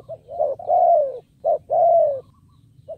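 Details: Decoy spotted dove calling to draw in wild birds, giving low mellow coos in a pattern of a short hoot then a long drawn, gently descending coo, repeated twice, with a soft low hum underneath.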